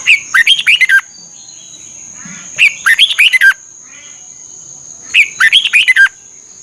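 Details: Red-whiskered bulbul from Thailand, song played to excite birds and for 30-minute morning training: three short, quick warbled phrases of about six rising and falling whistled notes, spaced roughly two and a half seconds apart, over a steady high whine.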